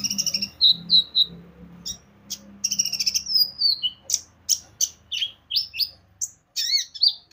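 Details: Brown-throated sunbird (konin) song used as a lure to make birds sing: rapid high chirps, trills and thin slurred whistles in quick bursts, with a faint low hum beneath.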